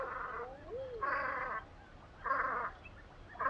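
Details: Velvet scoter at Liepāja, Latvia, in March 2024, giving harsh, grating croaks about half a second long, four in under four seconds, with a faint rising-falling whistled note between them.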